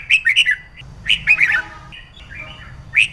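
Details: Red-whiskered bulbul, a female whose sound is used to stimulate males to sing; bright warbled chirps around mid-high pitch in quick clusters at the start, middle and end, over a low steady hum.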